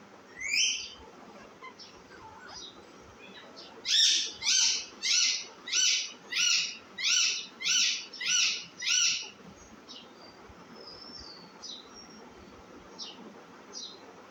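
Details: Baby parrot calling in a steady series of nine harsh, grating screeches, roughly one every half second, preceded and followed by fainter scattered chirps and squeaks.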